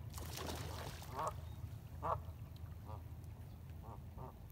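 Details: Ducks on the Colorado River at Lake Havasu, near Needles, California, at sunrise on 12 April 2021, recorded with a phone: about five separate nasal quacks spaced roughly a second apart over steady low water noise and distant engine rumble.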